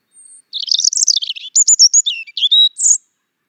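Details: A European robin delivers a sweet, high warbling phrase: soft lead-in whistle, a jumbled twittering burst, then clear descending whistles and a final shrill flourish before silence.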